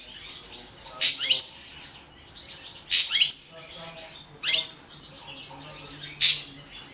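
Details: European goldfinch, balcanica subspecies, kept for a 2017 Serbian-run world goldfinch song contest; four separate bursts of shrill, liquid twitters spaced roughly every one and a half seconds.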